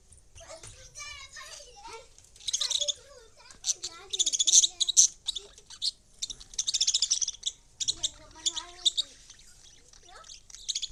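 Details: Lovebirds chattering in bursts of shrill, squeaky high chirps and rapid twittering, pausing between outbursts, while a person's voice speaks in between.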